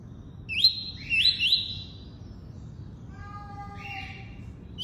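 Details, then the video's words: Tuí-tuí song from a double-collared seedeater: three rising whistled notes in quick succession, followed by quieter lower steady tones stacked in bands. "COLEIRO FLASH ENCARTE (TUÍ-TUÍ)"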